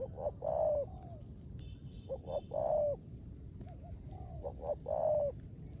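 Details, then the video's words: Decoy spotted dove, a kept bird, singing 'rước gù' coos in the rain; three low phrases, each two clipped notes then a long hollow falling coo, about every two seconds, over a rhythmic high-pitched pulsing background. "Cu Gáy || sở hữu mồi RƯỚC GÙ trong mưa"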